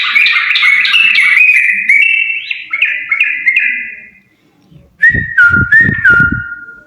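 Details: A pair of yellow-vented bulbuls singing vigorously: a run of bubbly, warbling notes stepping between mid and high pitch, a brief pause, then clear whistled phrases that slur downward, with low knocking thumps beneath.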